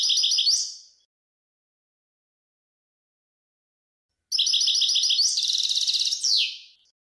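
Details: European goldfinch singing, recorded in 2020; clean phrases of quick, high, repeated trilled notes, one ending in a descending buzz, separated by a long silent pause.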